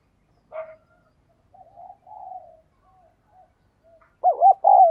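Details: Spotted dove (cu gáy) with soft low murmuring notes and scattered quiet sounds, ending in two loud mellow, wavering coos.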